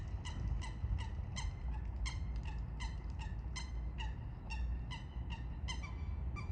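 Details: Eurasian coots in a fight: rapid, harsh, piping calls tumbling out several per second in an excited, irregular stream, over a low steady rumble.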